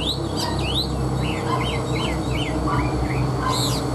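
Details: Kept Chinese hwamei singing a string of clear, rising whistled slurs, several repeated in quick succession with higher sweeping notes at the start and end, over a loud steady low hum.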